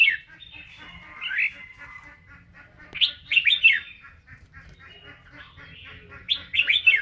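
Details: Red-whiskered bulbul singing and dancing in voice training; a drawn-out thin whistle and slurred note open, then two loud clusters of quick swooping whistles near the third and sixth seconds, background otherwise quiet.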